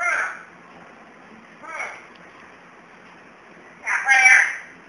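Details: Black-capped lory (Lorius lory), angry at not being picked up, gives three harsh, raspy squawks about two seconds apart, the last longest and loudest, over faint background hiss.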